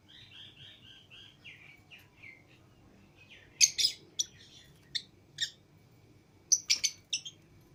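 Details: Out-of-cage pet lovebirds, a green Fischer's pair and a lutino pair among others, open with a run of even rising chirps roughly every half second, then several loud shrill sharp squeaks in quick clusters, with a quiet room background.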